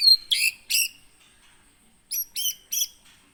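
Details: White-rumped shama, a caged bird from Aih Ilang (Sungai Merah) in Pining, Gunung Leuser, Aceh, Indonesia, caught in 2017: short harsh chattering notes in two groups of three, separated by a pause, over a thin constant high tone.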